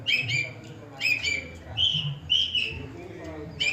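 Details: Long-tailed shrike (cendet) copying other birdsong: a few slurred whistles and a long descending whistled note among sharper chips, low hum behind.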